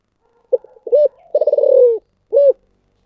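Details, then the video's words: Spotted dove, giọng thổ sấm style: brief soft notes lead into a hollow coo, then a throbbing drawn-out coo of rapid pulses falling gently in pitch, closed by one rounded coo. "chim cu gáy giọng thổ sấm chuẩn nhất"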